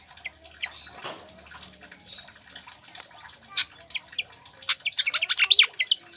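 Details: Pied fantail song as a lure for captive birds: soft rushing background at first, then sparse high chirps growing into a quick, loud series of sharp squeaky notes near the end.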